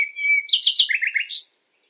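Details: Common nightingale song recorded at night: a sustained pure whistle, then rapid stuttering triplets of high notes stepping down into a lower trill, ending in a buzzy burst.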